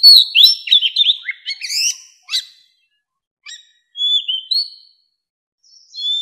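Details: Wild mature Oriental magpie-robin calling in other wild birds: loud, tumbling whistled notes and sharp chips at first, then spaced single whistles and short phrases separated by pauses.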